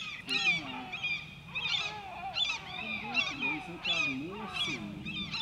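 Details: White-tailed eagle at Grönvik, Ornö, 16 July 2024, calling loudly and continuously: rapid, overlapping high yelps and squeals, about one and a half per second, mixed with lower wavering whines.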